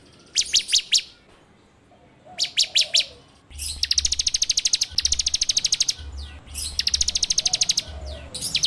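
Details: Bar-winged prinia (ciblek) song used as a training lure, recorded on an Android phone: short bursts of rapid, dry ticking notes, then long fast rattling trills, with a low hum underneath.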